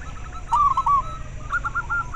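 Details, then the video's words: Zebra dove, a local Indonesian perkutut, with a call meant to stimulate breeding drive in caged doves and to lure them; faint notes, then a loud burst of clipped cooing syllables, followed by a quieter rhythmic series over a steady low hum. "Perkutut lokal suara ampuh untuk merangsang terapi masteran dan ahli pikat"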